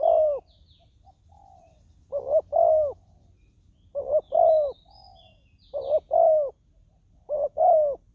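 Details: Ground decoy spotted dove calling to lure wild doves. Rapid, steady cooing: five phrases of a short double coo and a longer, slightly falling note, repeated about every two seconds, with faint high chirps from other birds.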